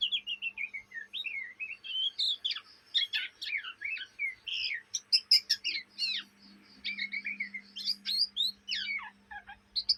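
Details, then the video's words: Fledgling Oriental magpie-robin chattering, the ngriwik given day and night, Indonesia: a rapid stream of scratchy and whistled notes, buzzy bursts and quick upward sweeps, briefly pausing before resuming. "kacer bahan ngriwik siang malam"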